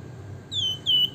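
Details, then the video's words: Two clean, high, downward-sliding whistles from a Javan fulvetta, locally flamboyan or wergan jawa, in the nyiul style, the second slightly longer, against a quiet low hum. "flamboyan gacor nembak ngebren nyiul - wergan jawa/Javan fulvetta (Alcippe pyrrhoptera)"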